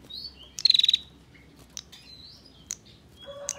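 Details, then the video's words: Female bar-winged prinia in ngebren ngetir song, used to train songbirds: one crisp, fast high trill of about seven pulses, then soft thin notes, brief chips and a closing low buzz. "Burung Prenjak Betina Ngebren Rapat, Masteran Paling Disukai Juri Senasional"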